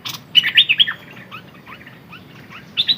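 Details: Red-whiskered bulbul used as a decoy, one quick run of bright warbled notes, then soft scattered chirps and a fresh burst at the close.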